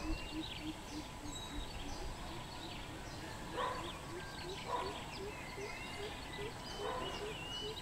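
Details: Greater coucal calling on 13 June 2020: a long steady series of deep, low hoots repeated several times a second, over heavy background hiss, with faint higher chirps of other birds.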